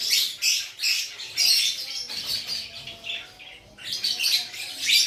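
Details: Lovebird from Aceh singing energetically; dense bursts of harsh, high chattering and squeaky notes repeated in quick succession, pausing briefly midway before resuming.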